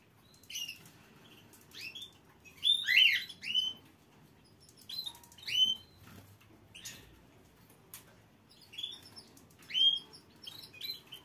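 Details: Canary producing scattered high chirps and brief clustered notes, a few quick downward-sweeping phrases bunched together, then isolated tweets every second or two against a soft steady hum.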